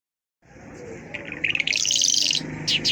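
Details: Mashhadi lark singing a quick, varied run of high chirps and short trills that climbs in intensity after a quiet start, with a low background hum.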